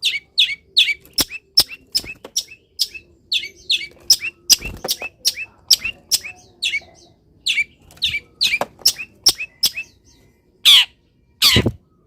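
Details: Caged long-tailed shrike singing energetically after its cover is removed and it is misted, in the morning sun; a rapid run of sharp high chirps and ticks with varied notes, ending in two harsh rasping bursts.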